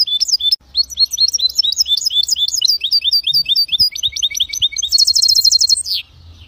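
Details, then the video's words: A goldfinch × canary hybrid sings a fast, continuous run of bright twittering notes, shifting into a rapid high trill near the end. "هجين طائر الحسون والكناري"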